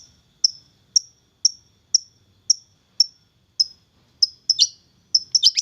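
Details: Long-tailed shrike, a young bird taken from the wild and tamed for about three months, gives short, high, sharp notes repeated about every half second, ending in a few louder, harsher bursts.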